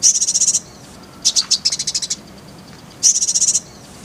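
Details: Shrill, rapid trills of evenly spaced high notes from an Oriental white-eye (konin), three bursts with short silences between, on a tutor track paired with kolibri ninja.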